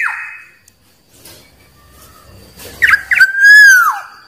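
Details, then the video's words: Wild Black-naped oriole singing, a sound used to call in rivals: a brief whistled note at the start, a quiet pause, then a short burst of liquid notes leading into a loud, rich fluty whistle that rises slightly and then drops away. "Suara Burung Kepodang liar Paling Ampuh Memanggil lawan"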